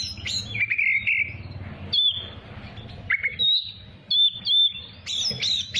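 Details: Oriental magpie-robin song for training young birds, with a buzzy lower phrase followed by clear whistled notes and quick high upslurred chirps, delivered in separated bursts.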